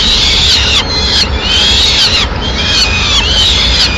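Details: Peregrine falcon at a nest in Madrid, Spain, 6 May 2016, as the female brings a pigeon; harsh, arched wailing calls rise and fall in three long drawn phrases about every second, over steady low background rumble.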